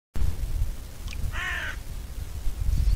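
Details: Eurasian magpie (Pica pica) giving a single harsh, grating call of about half a second, richly layered and noisy, against steady low rumbling wind or background noise.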